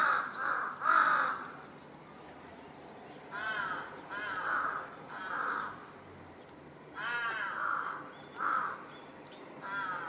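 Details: Large-billed crow making a commotion atop a utility pole in a residential area, July 2023: a series of loud, hoarse, harmonically rich caws in irregular bursts, roughly ten over ten seconds.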